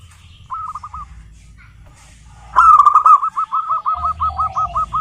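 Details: Local zebra dove singing, used to coax other zebra doves into song: a short trilled coo phrase, then a louder, long series of rolling, bubbling coo notes repeated about four per second, with faint low background hum.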